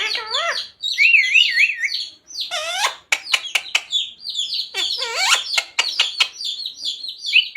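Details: Talking parrot at home, repeating "Radhe Radhe" and "Sita Ram": wavering whistles and stacked speech-like syllables alternate with sharp clicks and raspy bursts throughout.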